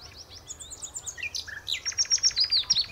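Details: Common nightingale singing at the Horsmeertjes on Texel: a varied phrase of high thin whistled notes and short slurred descending notes, then a fast run of about ten repeated pulsed notes, loud and rhythmic.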